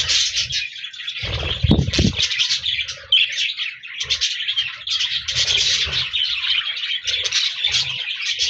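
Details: Budgies recorded on 14 January 2024, many birds twittering together in lively, buzzy chirping song, with a cluster of loud low knocks early on and softer thumps later.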